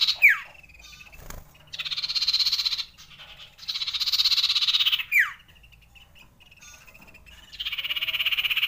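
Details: Common iora long rolling song, played to raise breeding urge: buzzy trilled rolls held for about a second each, separated by quick sharply falling sweeps, with short pauses between.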